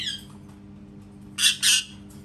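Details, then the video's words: A parrot known for making cat sounds gives a brief fading nasal note followed by one loud, harsh double squawk in a quiet indoor room. "PARROT MAKING CAT SOUNDS"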